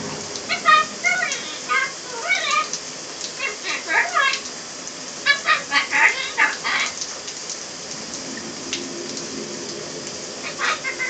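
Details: A pet great-billed parrot talks in the shower, chattering in speech-like bursts over the steady hiss of running water.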